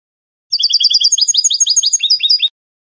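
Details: Goldfinch singing canto de salón, the Spanish song style taught from a recording: a rapid run of short bright notes shifting into rolling upward-slurred syllables repeated several times a second, with no other sounds.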